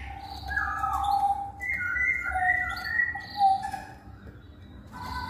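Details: Lure recording of masked laughingthrush song meant to prompt males to answer: clear whistled notes and short warbled phrases in quick succession, overlapping layers of calls, steady low hum underneath.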